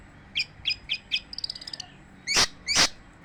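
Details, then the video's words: Long-tailed shrike singing without pause: a series of short, sharp chirped notes, a quick run of high ticking notes, then two loud, harsh, broadband rasping bursts. "kicauan cendet tanpa jeda"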